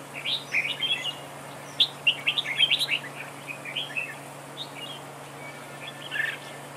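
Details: Red-whiskered bulbul decoy singing in a trap duel: bursts of bright, warbling chirped phrases, quick rising and falling notes clustered between pauses, over a steady low electrical hum.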